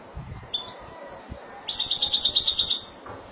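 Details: European goldfinch, Spanish Malaga song type: brief high call notes, then a fast, tinkling, trilled phrase of about a second over a quiet background.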